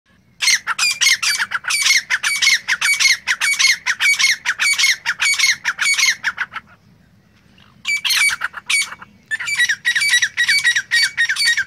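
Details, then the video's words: A francolin (tagged as grey francolin, used as a hunting call) gives loud, harsh, grating notes in fast chattering runs, about two per second, breaking off briefly before starting again. "Top 5 Different Hunting Voices of Francolin"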